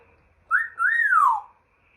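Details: A pet African grey parrot indoors gives a clear whistle: a short rising note, a brief gap, then a longer note that rises and slides smoothly down, lasting about a second.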